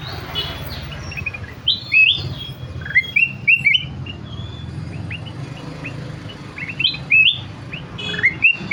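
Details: Ruby-throated bulbul, known locally as kutilang emas, in lively song: short whistled phrases of rising, hooked notes, delivered in bursts with pauses between, over a steady low hum.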